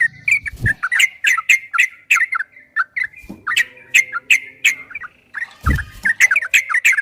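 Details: Yellow-vented bulbul giving a long, rapid 'ropel' song used to train caged birds: lively repeated chirping phrases, about three notes a second, interrupted by low thuds near the start and at five and a half seconds.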